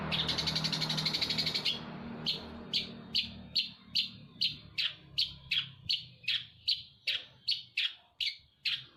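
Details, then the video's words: In Jember, a Eurasian tree sparrow sings in 'cendet Damar Wulan' style, copying a shrike. It opens with a fast buzzy rattle, then gives a long run of short, sharp high chirps about two or three per second. Low background hum. "Suara burung gereja versi cendet Damar Wulan"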